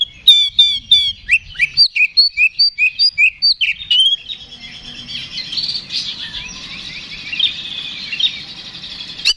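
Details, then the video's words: Oriental magpie-robin, kacer, delivering ngeplong fighting song meant to provoke another bird: a quick series of about fifteen crisp whistled notes, followed by quieter jumbled warbling. "KACER GACOR NGEPLONG TARUNG !! PANCINGAN KACER PALING AMPUH BUAT MENAIKAN EMOSI KACER AUTO RESPON"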